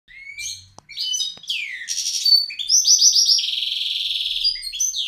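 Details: Caged pet bird singing loudly as its owner enters the room, a bird that pecks when anyone nears its cage; high, varied phrases of chirps and rapid trills, ending in a long buzzy rattling run with short sweeps.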